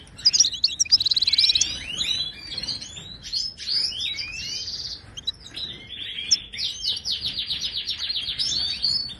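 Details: Wild Moroccan European goldfinch singing, a recording meant to get silent caged goldfinches singing. Jangling twitters and a dry buzzy trill open the clip, followed by varied slurred notes and a long, even rattling trill.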